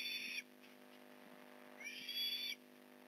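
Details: Osprey at its nest in Port Lincoln, fish delivery at 8:24am, November 15, 2019: two high, thin whistled calls. One comes at the start, and a longer rising one follows after a pause, over a low hum.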